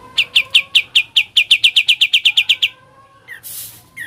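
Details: Rapid ngebren run from a sooty-headed bulbul: around fifteen crisp chips that speed up slightly, ending with a brief hiss and a short rising note.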